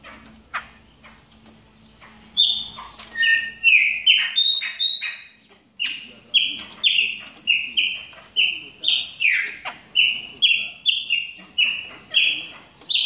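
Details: Warming-up calls of a moulting Chopi blackbird: a few mixed whistles and squeaky notes, then a steady run of evenly spaced whistled calls, about two per second.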